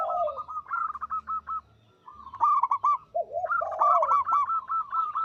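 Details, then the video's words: Local zebra dove singing energetically, with a voice called loud, long and tuneful; lower purring trills alternate with rapid runs of short staccato coos, phrases separated by a second of quiet, and overlapping voices hint at more than one bird. "Perkutut lokal gacor suara besar panjang merdu"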